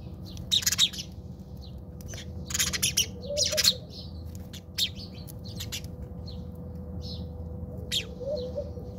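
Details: House sparrows fighting in a backyard in South Africa: bursts of harsh, broadband chirps and chattering in clusters, with quieter gaps between and a steady low hum beneath.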